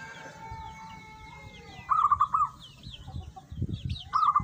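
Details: Local zebra dove (perkutut) singing actively. Two brief, rapid cooing phrases of rolling notes sound about two seconds apart. Small birds chirp steadily, with faint rustling and a distant rooster-like drawn-out tone at the start.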